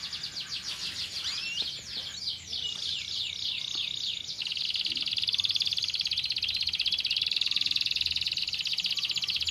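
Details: Canary song used to stimulate lazy birds into singing: opening run of quick sweeping notes, then a dense, rapid buzzing trill held steadily for several seconds.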